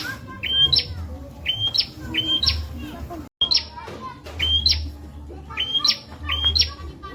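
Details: Bar-winged prinia (prenjak) training song for murai and ijo birds: repeated piercing whistles that climb and end in a buzzy high flourish, a brief gap midway, over a constant low hum.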